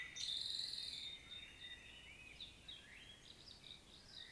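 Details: A common blackbird recorded in Świnoujście, Poland, on 25 September 2022 sings a loud, drawn-out high squeaky note, then a run of quieter twittering and chattering phrases, thin and high-pitched.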